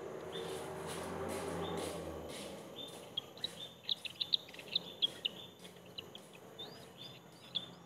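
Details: Bald eagle eaglets at their nest, the eldest brutally attacking the third sibling: a series of thin, high, squeaky chirps in irregular bursts over a faint steady background hum.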